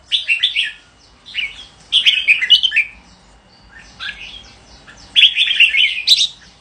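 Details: Red-whiskered bulbul song made of short, lively whistled phrases spaced about a second apart, each a tumbling run of sweet slurred notes, the last phrase fuller and more jumbled.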